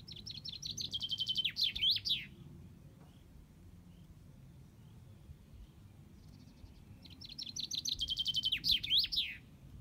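Two bright common chaffinch song phrases, each a quick descending trill ending in a flourish, about five seconds apart, over a soft low rumble.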